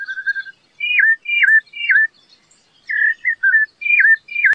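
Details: Song of a rufous-bellied thrush: loud, pure whistled phrases, several falling slurs in a row, then a pause and more rising-and-falling whistles, in a clean recording.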